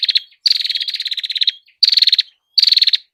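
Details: Prinia song, a combination-style burst used as a master for training other birds: fast, loud series of high, buzzy repeated notes delivered in three or four tight rattling bursts separated by short pauses.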